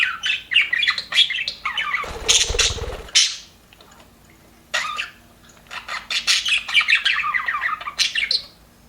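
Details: Aviary budgies, called happy, chattering in warbled chirps, broken by a short harsh burst of noise and a quieter pause before the twittering resumes.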